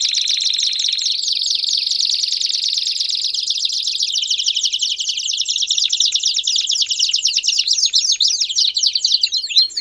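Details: Belgian canary in full, loud song: a sustained high rolling trill that steps down in pitch, then breaks into fast repeated sweeping notes and chattering phrases toward the end; no other sounds.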